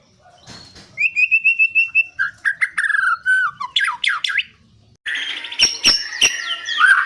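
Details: White-rumped shama song played to prompt birds to sing: a rapid series of clear repeated notes, then buzzy falling phrases and harsh squawky notes, with a gap before a dense burst of mixed chattering and whistles.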